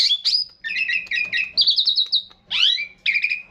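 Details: Javan pied starling singing actively in a long rolling (ngeroll) song: bright whistled sweeps and chattering trilled phrases, some rising and falling, delivered in quick runs separated by brief pauses.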